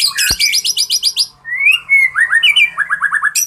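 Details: Ringed fighter white-rumped shama pouring out a fast, varied song: high repeated chattering notes, a sliding whistle, then series of quick descending slurred whistles, loud and continuous.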